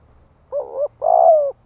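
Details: ['Single two-note coo of a spotted dove used as a decoy to excite wild males: a brief wavering note, then a longer, louder, slightly descending coo.']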